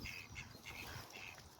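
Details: A couple of male mallards (drakes) give short, raspy, nasal calls, four or five in quick succession, over a low rumble of wind.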